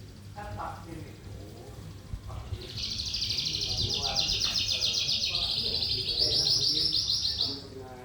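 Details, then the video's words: Lark singing in the energetic trotolan style, a continuous high, dense buzzing trill running unbroken for about five seconds after quieter scattered notes, with a human voice and low background rumble early on. "burung sonca prospex trotolan gacor"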